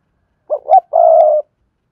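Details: Spotted dove giving a sa thúc, gù and gáy sequence used to stir up a decoy and lure wild doves: two short, low hooting notes, then one longer, steady, level coo. The background is silent.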